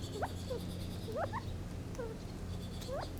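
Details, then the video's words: Gambel's quail calls: a few short rising chirps and soft downslurred notes spaced about a second apart, with a constant low humming drone beneath. "Funny Sounds of the Gambels Quail"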